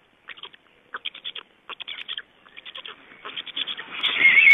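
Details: Black storks in Estonia, recorded at the nest on 31 May 2012 during changeover and feeding; clear, spaced groups of three to five rapid clipped notes, then a louder rushing, noisy burst at the end.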